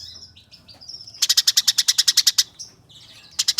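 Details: Eurasian tree sparrow recording meant to train competition birds: faint high whistles and twitters open, then a fast rattling series of about fourteen harsh chirps, a short pause, and another rattle starting.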